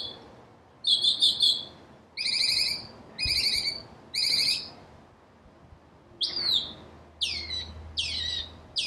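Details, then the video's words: Northern cardinal singing: three short buzzy, fluttering high phrases at spaced intervals, followed by several clear, sharply down-slurred whistles, each dropping steeply in pitch. "Northern Cardinal Bird Sound, Bird Song, Bird Call Bird Calling Chirps, Listen Birds Chirping Melody"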